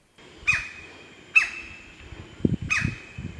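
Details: White-bellied Woodpecker in rainforest at Sandakan, Borneo, while excavating a new nest hole in a trunk: three loud, harsh, ringing calls about a second apart, with soft low thumps in the background.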